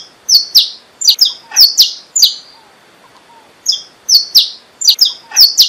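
Saffron Finch giving sharp, high chipping notes in quick bursts of two or three, with a brief pause midway; no other sounds are heard.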